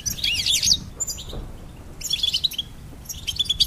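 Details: Goldfinch song: bursts of rapid high twittering and tinkling notes, a short phrase at the start, a longer run from two seconds on, then quick repeated chips near the end over a faint low background hum.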